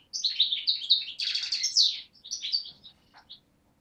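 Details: Young 2011 European goldfinch of race parva, Beni Snassen on the Morocco–Algeria frontier, recorded 8 January 2012; a brisk phrase of high twittering and a harsher buzzy burst, ending with a few sparse chirps.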